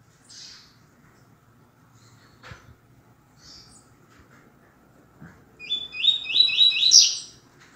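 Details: Double-collared seedeater (coleiro) with tui tui zel zel 'canto grosso' master song for teaching males: after mostly quiet seconds with faint clicks, a quick burst of repeated sharp, high, buzzy notes lasting about a second and a half.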